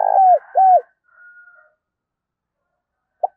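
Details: Spotted dove kept as a decoy to call in wild doves. The tail of a phrase, with a burry coo and two falling coos, is followed by a faint wavering sound and a lone short note.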